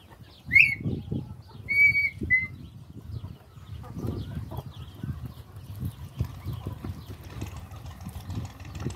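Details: Red-winged tinamou (perdiz) giving a sharp upslurred whistle, then a long steady whistle and a short final note, followed by rustling, footsteps and faint birds.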